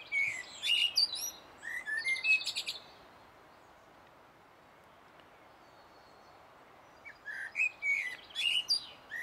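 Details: Singing common blackbird, 1 June 2016, Sony HDR-PJ10E camcorder recording: two bursts of song split by a few seconds of quiet, each mixing rich whistled notes with fast, shrill, chattering twitters.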